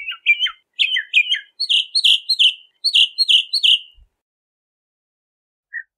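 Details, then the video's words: Bahama mockingbird giving a rapid run of repeated scratchy downslurred notes, about three per second, each with high harmonics, ending abruptly and followed by silence and one faint note. "Bahama Mockingbird Song! Bahama Mockingbird Voice! - Sinsonte De Bahamas Canto - Mimus Gundlachii"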